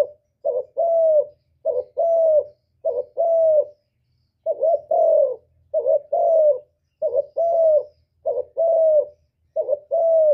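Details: A long run of spotted dove 'cu gù' cooing for trapping and for stimulating caged birds: about nine two-part phrases, each a clipped wavering note then a mellow falling hoot, repeated roughly once a second.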